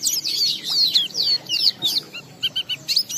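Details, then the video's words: Oriental white-eye lure song in ngalas style: bright, quick downslurred whistles and squeaky chips in a rapid burst, followed by a few short, clearer tonal notes repeated in a brief series. "Pleci Bahan Segera Ngalas Nembak dan Bongkar isian setelah diperdengarkan pleci gacor ini"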